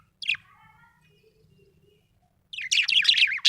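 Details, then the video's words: Happy budgerigar: one sharp descending chirp, then quiet, then a dense run of buzzy, warbling chirps that keep up for about a second. "Happy budgie chirping sound"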